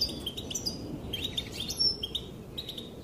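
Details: Female European goldfinch calling, said to make the males dance: bright high twittering notes and short tinkling phrases in quick bursts over a steady low rumbling background noise.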